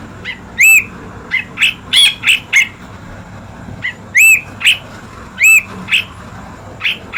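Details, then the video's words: Chirping of an Ashy bulbul, known locally as Brinji Kelabu, used as a master recording: scattered short, sharp chirps and upward-curling whistled notes at irregular intervals, with quiet gaps between and a faint low hum underneath. "Master Bird Chirping Sound Effect Hemixos Flavala/Brinji Kelabu"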